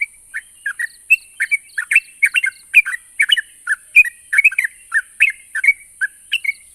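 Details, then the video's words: Yellow-vented bulbul singing, used to prompt birds that have stopped singing to reply; lively chortling chirps, roughly 48 phrases a minute, uneven rhythm, constant high-pitched hiss behind. "Burung trucuk macet bunyi dan mandek pasti nyaut dengar suara burung trucuk ini"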